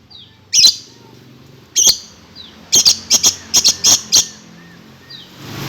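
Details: Lory giving piercing screeches likened to a kuntilanak ghost: two isolated sharp cries, then a rapid cluster of six clipped, harsh notes, ending in a short hiss.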